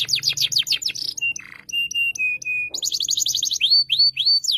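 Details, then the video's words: Gacor canary singing near a young canary in training, Indonesia: rapid falling notes, a raspy burst, a run of long flat pure whistles, then a buzzing trill and arched whistled notes. "KENARI PAUD BELAJAR BUNYI EFEKTIF DI TEMPEL KENARI GACOR PENUH EMOSI"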